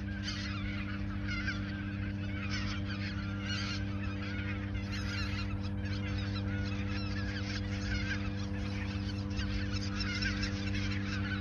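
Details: Large goose flock at Ochsenmoor nature reserve, autumn 2022, days ahead of migrating south; sustained chorus of honks in pulsing waves throughout, over continuous low humming tones.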